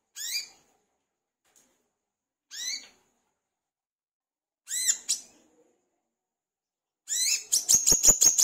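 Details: Olive-backed sunbird, locally called wiceh, singing steadily as a lure to get other birds singing. Three sharp, high, downslurred harmonic notes spaced about two seconds apart, then a fast burst of clicking chips near the end.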